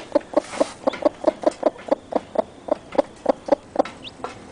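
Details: Mother chicken with newly hatched chicks: steady series of brief, low, knocking clucks about every quarter second, with a single faint high peep near the end.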